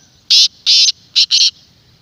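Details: Black francolin call, played to rouse captive francolins and draw wild ones: a single phrase of four harsh, buzzy, grating notes, the first two long and the last two short and clipped, over a quiet background.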